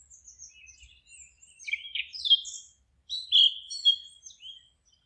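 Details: Singing birds in a forest: soft high twittering at first, then louder chirped notes and a long bright whistled phrase with trills, fading into scattered high tweets.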